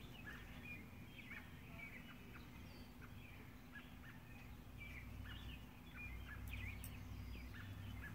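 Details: Subadult male purple martin and mate coming back at sunset to roost in their nest house after feeding; repeated brief chirping notes, some rising, heard through constant low-pitched background noise.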